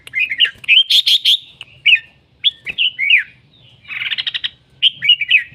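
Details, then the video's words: Red-whiskered bulbul in song, delivering rapid bursts of rich warbled and whistled notes, some buzzy rattling phrases, with brief gaps between phrases. "Noog diab kaum lauj quaj thiab seej heev"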